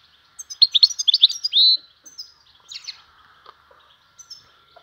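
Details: European goldfinch song, a caged bird known locally as Van style ('vanlı melik'), in spring: quick high twittering notes followed by a sustained buzzy trill, then scattered chirps, with a faint steady low hum behind.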